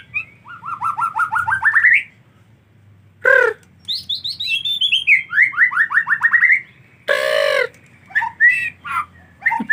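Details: White-rumped shama singing in the rainy season, tied to bathing: rapid rising whistled trills, loud falling harsh notes, and sweeping phrases that descend then climb, ending in scattered chirps.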